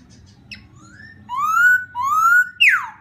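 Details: Laughingthrush song played to provoke another bird: loud, clear whistled notes with rising slurs around two seconds in, then a sharp falling slur, over a low background hum.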